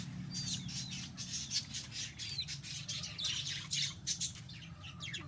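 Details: Pet lovebirds kept at home, chattering in a steady stream of short, sharp, high chirps and squawks, with a low hum underneath.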